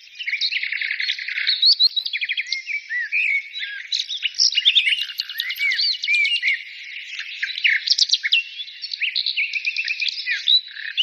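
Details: Several birds singing at once, a dense unbroken chorus of overlapping high chirps, rapid trills and short whistled slurs without pause.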